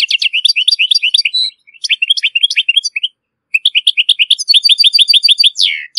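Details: Moroccan European goldfinch delivering excellent, error-free song for chicks and hybrids to learn: jumbled quick twitters, a pause of half a second, then evenly repeated bright chirps ending in a falling slur.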